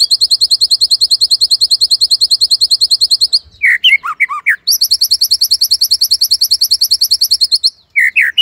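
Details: White-rumped shama Cililin 'tembakan' song for masteran training: long bursts of very rapid, high, dry repeated notes, broken by a brief cluster of lower slurred whistles.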